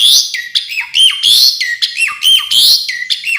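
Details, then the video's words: Asian pied starling singing a full, varied song: loud whistled notes with sliding rises and falls between high and mid pitch, clipped phrases repeated roughly every second, no other sounds. "Kicau jalak suren full isian pariasi"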